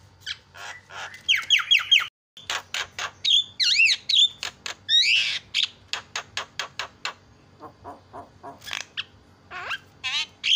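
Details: Varied Javan myna song intended to make other mynas agitated: rapid clicks, twisting whistled squeals and looping notes, then series of short dry ticks and a final wavering whistle.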